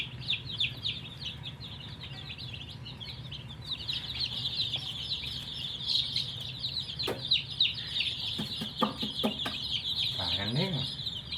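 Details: Thirsty colour-dyed chicks drinking water keep up a loud, unbroken chorus of piercing peeps, with a few short clicks and a brief low sweeping noise near the end.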